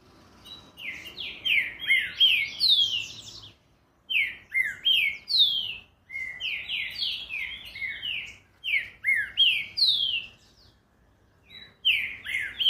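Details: Green-winged saltator singing a fast song: quick bursts of loud, slurred whistles sliding down between high and mid pitch, delivered in rapid phrases separated by short pauses, repeated across the recording.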